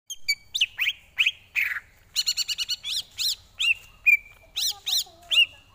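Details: Greater green leafbird (cucak ijo) song used as tutor material for training other birds: varied clear whistles, quick rising slurs and short buzzy rattling bursts, with a loud whistle held briefly near the end.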